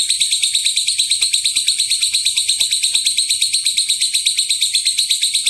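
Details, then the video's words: Lovebird long ngekek chatter meant to draw calls from other lovebirds, with about sixteen piercing, buzzy chirps repeated quickly and steadily with no gaps. "Pancingan suara lovebird ngekek panjang"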